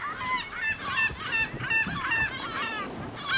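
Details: Yellow-legged gull, the commonest gull here, in autumn in the Cabrera archipelago, Mediterranean, recorded from a boat. It gives a long call: a run of loud, nasal, laughing yelps, nearly three per second, slightly hoarse, with faint outdoor hiss.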